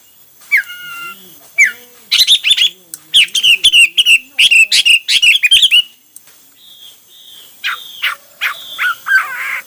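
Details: Hwamei singing varied phrases: soft low notes open into a rapid, dense series of sharp whistled chips, followed by quieter, drawn-out looping whistles.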